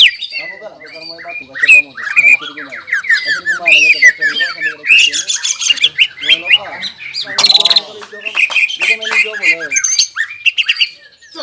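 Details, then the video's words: Greater green leafbird singing gacor in ngobra and jamtrok style, excited: an unbroken torrent of harsh squawky notes, chattering rasps and sharp whistled slurs with a brief buzzy burst in the middle. "CUCAK IJO GACOR INI NGOBRA DAN JAMTROK SUARA GACORNYA BIKIN CUCAK IJO MANA PUN EMOSI"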